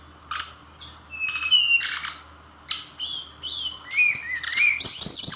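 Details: Brown-chested jungle flycatcher in vigorous song, harsh broadband bursts alternating with whistled slurs, arched high notes and thin squeaky upslurs toward the end, delivered in quick irregular phrases.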